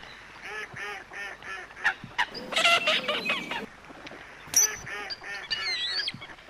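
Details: Coot giving a run of short, nasal, honking calls in quick succession, then a harsher, louder burst, with further similar calls and a few sharp high notes near the end.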